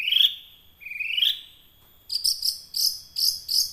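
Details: Young wild long-tailed shrike, its song used as a lure to prompt caged birds to sing; two rising drawn-out whistles, then a quick series of sharp high chipping notes about twice a second.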